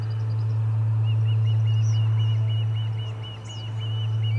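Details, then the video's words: Fainter string of quick whistled chirps from Ospreys at the Charlo nest, 30 July 2020, amid commotion over a delivered fish; thin high bird twitters and a constant low electrical-like hum run underneath. "Lots of Commotion and a Fish Delivery - Charlo Osprey Nest"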